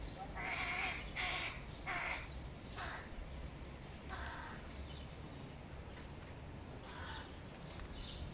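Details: Young hooded crows begging their father for a piece of fish: harsh, broadband caw-like calls, three loud ones in quick succession over the first two seconds, then scattered shorter calls, over a steady low rumble.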